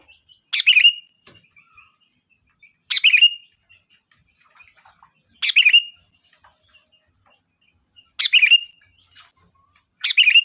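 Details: Sooty-headed bulbul singing as a flock-calling lure. Five brief, bubbly chattering phrases, each ending in a clear whistle, repeat about every two and a half seconds. A steady high-pitched hum continues underneath.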